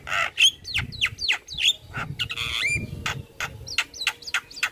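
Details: Javan myna singing vigorously with a richly filled song, played to get other mynas singing: a busy mix of rapid downslurred whistles, harsh buzzy notes and a longer grating phrase, then clipped upswept whistles.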